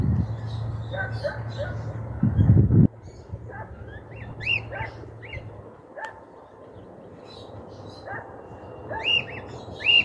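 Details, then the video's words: Escaped cockatiel on a home's rooftop in 2023, in a region where the species is not found, with a loud noise burst early on, then scattered arched whistled calls in the second half. "Cacatúa ninfa"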